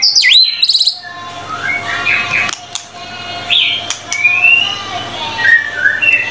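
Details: White-rumped shama (murai batu) in vigorous song: a loud twisting whistle, then softer warbling notes and slurred rising whistles.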